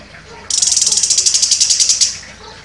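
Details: Orange-headed thrush contest champion with a sharp, shooting delivery. It produces a high, harsh, buzzing rattle of fast even pulses for about one and a half seconds.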